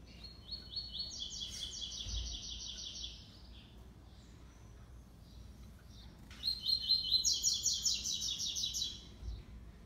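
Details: Classic three-note song of a young double-collared seedeater, six months old, dueling with a black male: two long, pulsing, high trilled phrases with a short pause between, the second louder and rising in pitch partway through.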